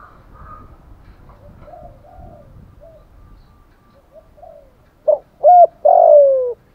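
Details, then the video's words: Spotted dove cooing, played as a lure: after several seconds of faint, low murmuring, loud coos arrive near the end, two short arched notes followed by a longer drawn-out note that slides gently downward. "Tiếng chim cu gáy kích bổi[ thúc gù. gáy gọi, đủ bài] cu cườm thúc gù"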